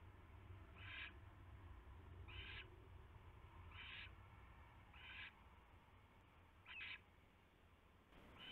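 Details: Owl on a nest tray in the small hours of 3 February 2016, perched until leaving at 3:40 AM; five or six softer rasping hisses at uneven intervals, set against a noticeable low-pitched hum.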